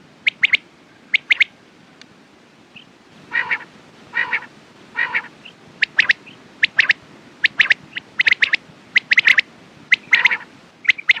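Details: Quails give repeated sharp, high notes in tight pairs and triplets, mixed with a run of three lower, rasping harmonic calls midway. The calls come about once a second and overlap as if from several birds.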